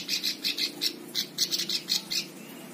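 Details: Plain prinia (ciblek sawah) song used as a training recording for other birds: a short series of loud, buzzy, rasping high notes, a few per second and slightly uneven, over a faint low hum.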